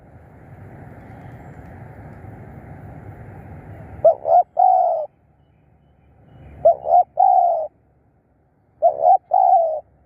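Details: Spotted dove kept as a decoy for luring wild birds. Steady background hiss at first, then three phrases, each a quick doubled note followed by a longer steady coo, about two seconds apart.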